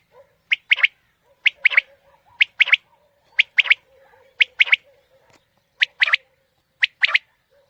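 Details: Quail call played to lure quail for hunting in the morning: a sharp three-note phrase, one short high note followed by a quick pair, repeated about once a second over a quiet background.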